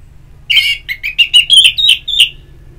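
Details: Orange-headed thrush, a therapy recording to stimulate singing: loud varied phrase of about seven rich whistled notes in quick succession, some slurred up, some down.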